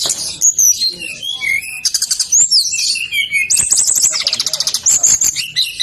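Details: Nonstop high-pitched song of a brown-chested jungle flycatcher, played to prompt other birds to sing: varied warbled whistles, quick chattering clusters, a dense rippling trill in the middle, then further slurred notes.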